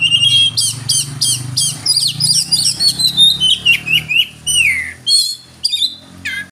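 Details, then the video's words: Oriental magpie-robin, known locally as kacer, delivering a rapid run of sharp whistled downslurs and chirps, roughly three per second, ending in longer descending whistles; a low hum runs underneath. "Suara burung Kacer pendongkrak emosi"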